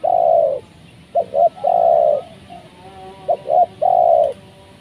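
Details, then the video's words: Spotted dove (tekukur) calling to lure wild doves down: repeated phrases of a long mellow coo followed by two short clipped notes and another long coo, low-pitched and loud, with a quiet background. "Mikat Tekukur,,pikat ajaran..pertama kalinya di turunin tekukur liar..."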